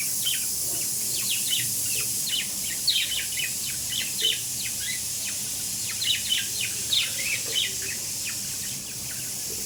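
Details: Pet budgies keeping up a lively chatter of short, high chirps and warbles in rapid bursts, under a loud steady hiss of running water.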